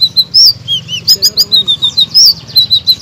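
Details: Blue-crowned laughingthrush singing as a master recording to get silent songbirds such as magpie robins and orange-headed thrushes to sing loudly. High, thin whistled chirps and slurred notes are repeated in a quick, uneven string, with a low hum beneath.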